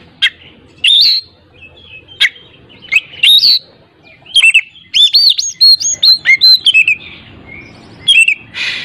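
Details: Oriental magpie-robin song used as a lure to get a reluctant magpie-robin singing: loud, clear whistled notes that rise and fall, sliding and slurred, given in quick bursts with short pauses between phrases.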